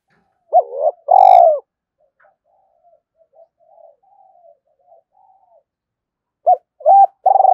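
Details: Morning cooing of a spotted dove goading a wild rival to fight: a loud phrase of a clipped note and a long mellow coo, faint distant coos, then the phrase starting again with quick repeated notes.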